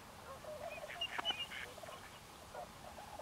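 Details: Tundra swans at Forsythe NWR, New Jersey; overlapping mellow, honking calls from several birds, with a few higher, sharper notes near the middle, against a steady background hiss.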